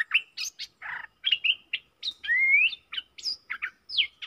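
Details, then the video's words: Decoy bulbuls calling, four birds in real forest on 31 July 2021: a busy string of varied chirps, slurred whistles and one long rising whistled note, with short gaps between phrases. "เสียงต่อนกดอกแตงEp.68 เสียงต่อจากป่าจริงๆ นกต่อ4ตัว!!! Suara merbah lekir gacor"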